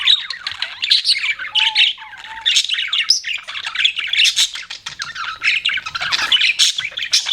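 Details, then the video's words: Pet budgies chirp and warble in a lively overlapping chatter, buzzy and squeaky, with two short pure whistles near the middle and a brief dip in loudness before the chatter resumes. "BUDGIES CHIRPING SOUND"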